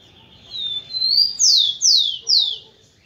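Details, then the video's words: {'caption': 'Male rufous-collared sparrow sings to stimulate hens: thin sustained whistle, a second rising whistle, then three bright falling notes repeated at steady intervals, clean and close.'} "ESQUENTE seu TICO-TICO no Máximo e ESTIMULE suas FÊMEAS a aprontar!"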